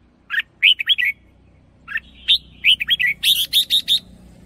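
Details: Red-whiskered bulbul in a cage, hunting-line lure song with a doubled ending: two groups of quick warbled whistles, then a steady run of six evenly spaced bright notes, faint hum behind.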